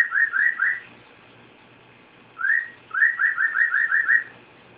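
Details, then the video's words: Pet cockatiel whistling: short bursts of clear rising whistled notes, four in a quick run, a pause, then a longer series of about eight, in a quiet room. "Archimedes Whistling"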